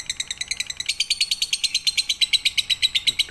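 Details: Lovebird chattering in a tutoring recording meant for night-time playback. It gives a fast, even run of shrill, high-pitched chirps, about three a second, continuing without pause over faint background noise.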